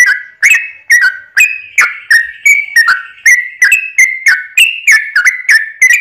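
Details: Continuous 'ropel panjang' song of a yellow-vented bulbul, a lure to make other bulbuls sing at once; unbroken string of chirpy, slurred whistles about three per second, evenly loud throughout.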